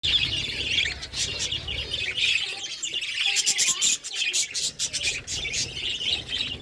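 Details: Pet budgerigars eating, giving a steady chatter of high chirps and warbles with sharp broadband clicks and rustles mixed through, and a low hum underneath.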